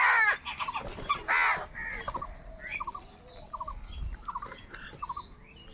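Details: A few loud, rough caws from crows fighting for food open the recording, then quieter caws give way to soft twittering chirps repeated about once a second.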